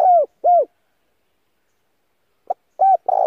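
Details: Cooing of a spotted dove used as a decoy to lure wild doves. The tail of one phrase gives two arched coos, then after a pause a clipped note, a coo and a long rough coo begin the next phrase.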